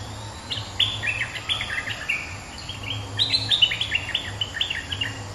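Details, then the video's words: Bulbul lure song, a resident bird calling, in two bursts of bright, bubbly phrases with quick chattering warbles running several notes a second, over a low steady hum. "เสียงนกดอกแตงEp.209 ถูกคู่ เจ้าถิ่นริก!!กระจายเลย"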